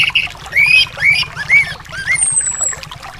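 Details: Anis song used to prompt a silent bird. A string of looping, rising and falling whistles, about five phrases, with a thin descending whistle near the end and soft water-like hiss.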